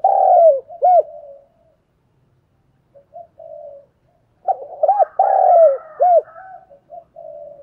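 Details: Spotted dove used as a decoy to get newly caught doves cooing: deep, hollow, bowed coo notes with soft trailing hums, a short pause, then a fuller phrase of repeated arched coos over fainter background cooing.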